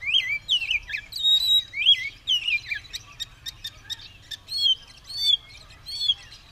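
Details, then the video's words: Oriental magpie-robin, ready to fight with tail open, delivering warbled looping whistles, a held high note, then rapid clicking notes and repeated short whistled phrases. "Burung kacer siap tarung buka ekor gacor"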